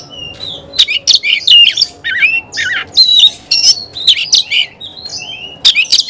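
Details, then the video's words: Oriental magpie-robin delivering loud varied phrases: harsh squawky notes mixed with clear whistles and downslurred sweeps, with short pauses between phrases. "Kacer gacor"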